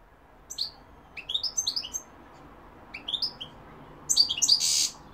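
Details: European goldfinch song, with London and Algeria mentioned: repeated phrases of sharp, high twittering notes in quick groups, ending with a louder burst and a brief rushing noise.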